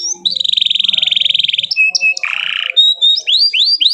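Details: Canary singing to spur other canaries to sing: a rapid rattling trill of evenly repeated notes, short pure whistles, a dense lower buzzy roll, then quick rising swept chirps repeated about twice a second.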